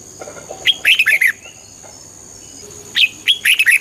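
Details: Red-whiskered bulbul, a song played to make birds excited: two cheerful phrases of quick, rolling whistled notes, one near the start and one at the end, separated by quiet with a thin high tone.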